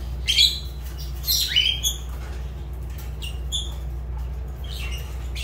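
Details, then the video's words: Two loud, shrill rising squawks from a Fischer's lovebird open the passage, followed by fainter scattered squeaky chirps amid a low continuous hum. "Lovebird Agapornis Fischer sounds"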